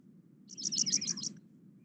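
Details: Paddyfield Pipit song, recorded around September and usually delivered in a short song flight: a quick run of about seven high, thin chirps in under a second, over a low steady hum.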